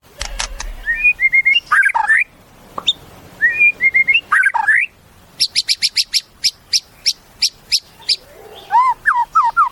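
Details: Caged white-rumped shama singing a varied song: whistled phrases, sharp upslurs, then a fast run of repeated high chips and a few lower looping whistles near the end.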